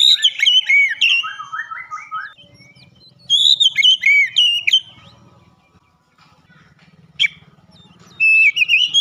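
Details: Oriental magpie-robin (kacer) in full loud song with beak opened wide: bursts of rich whistled phrases with slurred rising and falling notes and harsh accents, separated by quieter pauses with low background hum.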